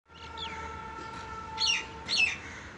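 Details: Two mynas calling; a few short squawky chirps with downward-sliding notes, two louder bursts near the end, over a steady low hum.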